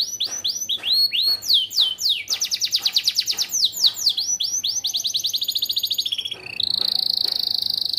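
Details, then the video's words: A yellow AF canary in full 'isian gacor' song. Rapid downward-sweeping notes give way to a long rattling roll. The bird ends on a dense, even, high buzzy trill, with a low hum in the background. "KENARI AF KUNING ISIAN GACOR"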